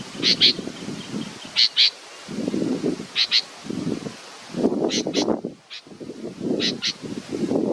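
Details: Baby bird awaiting its mother gives paired, high, scratchy chirps every second or so over loud, low rustling and handling noise.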